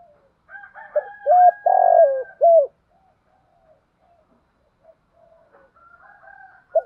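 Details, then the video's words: Male and female spotted doves singing a thổ-style song to stimulate training birds. One loud phrase of short coo, long hoarse falling coo and short coo, surrounded by quieter, higher cooing from another dove. "tiếng chim cu gáy giọng thổ thúc gù bài bản, gáy giọng to rõ giọng hạp"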